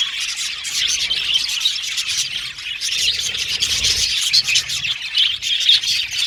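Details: Australian budgies in an aviary colony chatter continuously, a thick layer of high chirps and trilled warbles with occasional clearer whistled tweets near the end.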